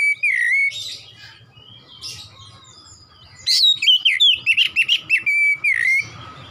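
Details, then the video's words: Oriental magpie-robin, actively singing, nembak style: a clear drawn-out whistle and a few soft chirps, then a fast volley of about a dozen loud looping whistled notes ending on a level tone. "KACER GACOR NEMBAK NEMBAK"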